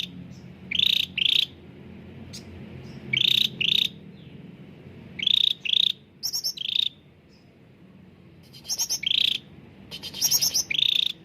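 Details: Frequently singing cucak ranting (bulbul) used as a singing lure: buzzy pulsed notes given in pairs every couple of seconds, with occasional higher pulsed bursts and a pause midway, over low hum.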